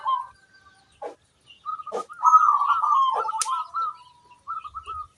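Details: Local zebra dove singing to draw answers from other zebra doves: a long, loud rolling, bubbling coo phrase after a few scattered clicks, closing with a short repeated trill.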